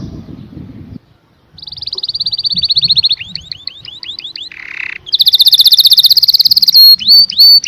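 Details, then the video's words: Canary singing after a short low noise: a steady trill, a run of down-slurred whistled notes, a brief buzzy rattle, then a loud very high fast trill and sharp whistles. "The most Beautiful Sound Of Canary - Canary Singing"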